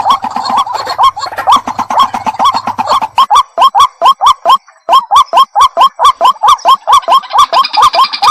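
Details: Duetting pair of white-breasted waterhens: repeated short rising notes, with a faint low hum in the first half, then cleaner, sharply separated notes in a brisk, even rhythm.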